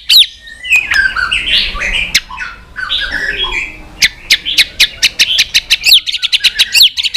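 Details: Many-voiced white-rumped shama singing competitively to provoke a rival: a jumble of varied warbled whistles, followed by a fast train of sharp clicking, ticking notes that speeds up toward the end.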